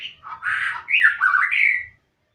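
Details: Magpie-robin, called murai, singing in good voice: loud varied phrases of rich whistles and harsher squawky notes, rising and falling, about two seconds long.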